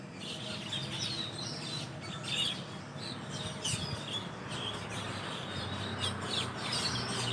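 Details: Asian glossy starlings calling from a leafy tree where a large flock roosts overnight, recorded in the morning after dawn prayer; dense overlapping high, sharp chirps and short whistles throughout, over a steady low rumble.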